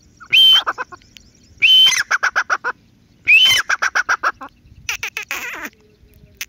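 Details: ['Grey francolin, locally called teetar, giving loud repeated call phrases: a harsh rising note followed by a rapid series of short clipped notes, three phrases about every 1.5 seconds, then a squealing trailing call.']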